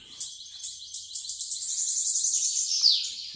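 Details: Bananaquit coming out of moult, singing well: a thin, very high, buzzy song of fast rattling phrases, each pulsing several times a second. It runs continuously and ends in a sharp rising slurred note.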